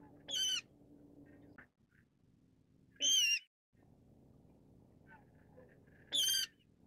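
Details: Brown-cheeked rail giving short, shrill, rasping squeals, three in the clip at intervals of about three seconds, with a faint continuous low hum between them.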